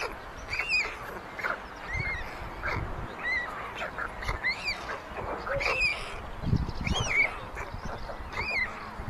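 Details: Nest of white storks in Ságvár, Hungary, on May 22, 2024, with siblings stealing food from the smallest chick; short arched whining calls repeat roughly once or twice a second, irregularly, with light clattering and rustling noises between.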